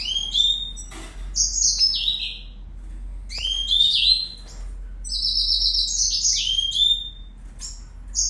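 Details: A Red Siskin, recorded in 2019, sings a fast, bright jumble of high twittering notes, buzzy trills and descending slurred whistles, repeated in two bursts, with a faint low hum behind.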